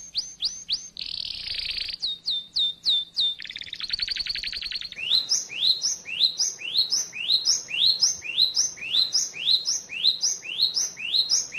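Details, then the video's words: Oriental white-eye masteran song for training cage birds: quick high downslurred whistles, a brief rasping buzz and chattering trills, then a long run of clear, rising-and-falling chirps repeated about twice per second. "masteran burung pleci"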